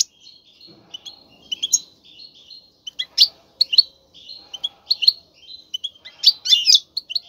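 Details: Male European goldfinch in a cage, singing strongly to prompt a female to breed: quick liquid twitters and short tinkling phrases, broken by brief gaps, with louder chattering bursts toward the end.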